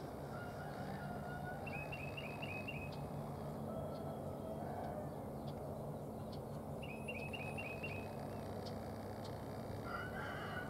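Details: A red-bellied woodpecker, one of a newly seen pair, gives two quick runs of about five sharp, rising chips, a few seconds apart, over a steady low rumble like distant traffic, on 13 March 2023.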